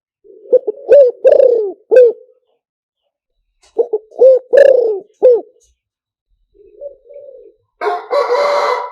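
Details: Spotted dove cooing, a recording used over a loudspeaker to lure doves. Two loud phrases, each a soft lead-in followed by three or four hard, rounded coos, separated by a pause. A faint trailing coo is followed by a burst of harsh distorted noise at the end.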